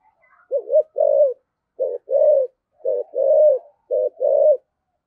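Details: Spotted dove lure bird in the thổ sấm voice style, giving four evenly spaced paired phrases, each a short low coo followed by a longer rolling one, about one per second.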